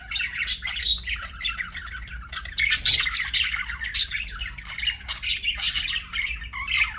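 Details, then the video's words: Pet budgerigar chirping: dense, nonstop warbling chatter broken by sharp squawks and bright high notes, with a faint steady low hum underneath. "BUDGIE CHIRPING SOUNDS"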